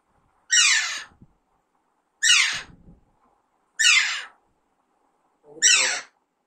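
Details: Pet baby Alexandrine parakeet calling: four loud, coarse screeches, each sliding downward in pitch, spaced about one and a half seconds apart in otherwise quiet surroundings.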